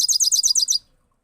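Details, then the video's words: European goldfinch singing a single repeated rolling phrase: rapid, high, buzzy trilled notes, about seven in under a second, then silence. "Gold finch singing one side only one sound rolling"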